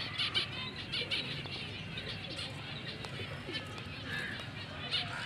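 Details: Black-breasted mutation zebra finches, a confirmed breeding pair, give short, nasal, trumpet-like beeps in scattered bursts over a low background rumble.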